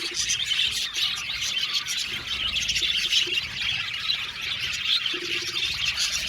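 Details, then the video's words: Budgerigars, roughly 70 pairs kept together in an aviary, keep up an unbroken chorus of shrill chirps, squawks and twittering, with occasional low knocks beneath. "Beautiful Budgies chirping sound"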